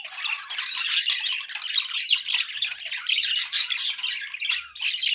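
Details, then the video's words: Unbroken budgerigar chatter, a lively, grating mix of rapid chirps, buzzes and squawks of fairly even loudness across the whole stretch. "budgie sounds for pet birds"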